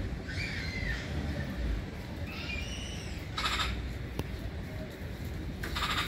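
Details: Black-billed magpie calls: two thin, descending whistled notes open the recording, followed by two short, rasping, noisy bursts, with a low constant rumble underneath.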